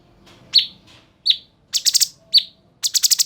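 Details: Bulbul known locally as cucak cungkok, a lively singing bird used for tutoring other songbirds: piercing high chirps alternating with fast rattles of four or five harsh buzzy notes, on a nearly silent background.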